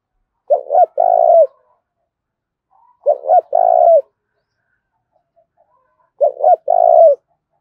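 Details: Spotted dove giving a heated contest call in a thổ voice blended with đồng: three phrases nearly three seconds apart, each a couple of quick notes running into a sustained throaty coo, in an otherwise quiet setting.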